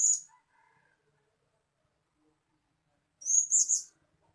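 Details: Blue-crowned hanging parrot calls from a decoy bird, used as a lure to attract wild birds: a brief high, thin squeaky note at the start, then after a silent gap a quick burst of three shrill, trilling notes.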